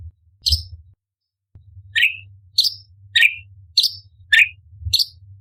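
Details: Contest tutor recording of an orange-bellied leafbird with sharp bursts of song. Short chirps come roughly every half second, alternating low downward-slurred notes with higher bright slurs. A low hum and a dull thump at the start.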